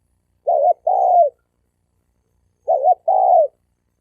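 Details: Spotted doves, males in a fighting challenge: two mid-pitched cooing phrases, each a quick wavering double note followed by a longer, falling, slightly rough coo, about two seconds apart, with a quiet background.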